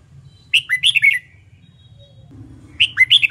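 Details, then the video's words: Red-whiskered bulbul in competition song training gives a rapid warbled phrase of about five loud whistled notes, then after a gap repeats a near-identical phrase, with low hum and a soft mid-pitched tone between them. "LUYỆN CHÀO MÀO HÓT ĐẤU/ BỔI NHANH MỞ MỎ SỔ GIỌNG/ CHÀO MÀO HÓT VUI MỖI NGÀY"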